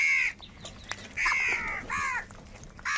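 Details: Several crows from a big flock competing for food give a few separate rasping caws, each lasting up to about half a second, with quieter gaps between them.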